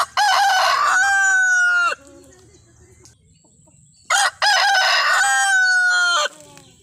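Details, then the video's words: Two full crows from a desi rooster, each about two seconds of loud rasping cock-a-doodle-doo that ends on a falling tail. A quiet pause with soft clucks separates them. "मुर्गों की आवाज | Rooster Crowing Sound Compilation | मुर्गा की बांग | Desi Murga ki Avaj"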